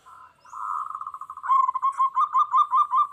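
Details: Energetic local zebra dove song, used to provoke wild doves into answering aggressively. A soft rolling trill builds into loud, evenly pulsed coos, about six strong beats per second, steady in pitch.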